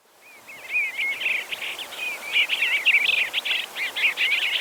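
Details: Bluebird giving a long, rapid run of warbled, twittering notes, several each second, mixed with short slurred whistles against faint background noise.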